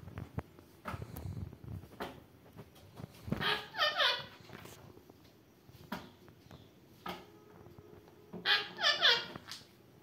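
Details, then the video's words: Indian ringneck parakeet talking in two short bursts several seconds apart, each a quick string of shrill, bending, voice-like syllables, with clicks and rustling between. "Talking dancing parrot"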